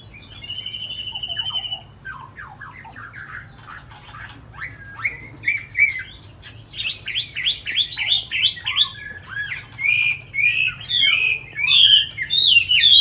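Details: Caged tamed Chinese hwamei starts with a steady buzzy trill, then scattered soft notes, building into fast rattling and loud, varied whistled phrases by the end.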